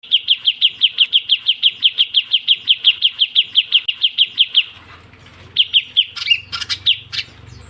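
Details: Ciu kunyit bird call used as a lure: a fast run of sharp, high, downslurred chirps about three per second for over four seconds, then scattered louder notes and clicks over a low hum.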